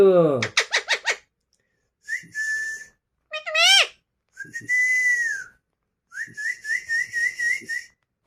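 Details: Green Alexandrine talking parrots indoors give a quick series of five sharp notes, steady whistled tones, a rising squawk, then a wavering whistle pulsed about eight times.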